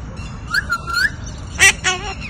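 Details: Hahn's macaw, a pet parrot in India, with a whistled tone swelling at about one second, then two harsh bursts; low background noise.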